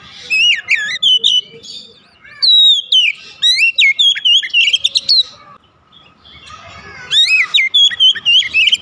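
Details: Oriental magpie-robin (kacer) therapy song to make a quiet bird sing: long bursts of loud, varied whistled notes with sharp upward slurs and clicks, broken by brief pauses.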